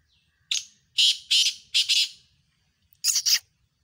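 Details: Competing pair of black francolins, 7 October 2022: a faint opening whistle, then a harsh, grating phrase of four rasping notes, a pause, and a second quicker, higher burst of three scratchy notes.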